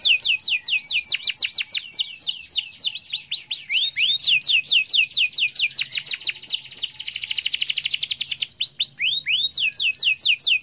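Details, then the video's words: Canary in champion-style nonstop song: long, rapid rolling trills of high sweeping notes, with shifts in tempo and one very fast buzzing roll in the middle. "Suara burung kenari gacor juara"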